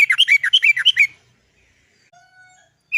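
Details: Sooty-headed bulbul, 'cok cok cok' lure song to get others singing: a fast bubbly chatter lasting about a second, then quiet with faint steady tones and one final note.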